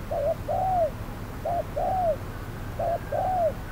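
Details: Spotted dove calling as a trapping decoy on a hot midday: three soft, slightly distant coo pairs, each a brief note and a longer downward-curving one, with low background rumble.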